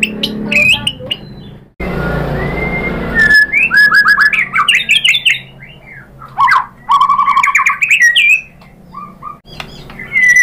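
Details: White-rumped shama, used to provoke other birds into singing, delivers bursts of varied warbled and whistled phrases after a brief rushing noise, with pauses between phrases.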